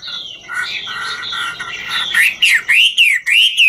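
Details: Chinese hwamei in its ngũ trường singing and dancing display: blurred, overlapping tones at first, then clear rising whistles repeated roughly every half second with brief gaps.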